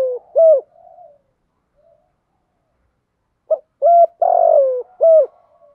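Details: Spotted dove kept as a decoy bird, cooing to call wild doves in, in the Sấm Thổ voice style with fighting and urging coos. Short hollow coos form two bursts, one stretched, wavering coo, separated by about three seconds of silence.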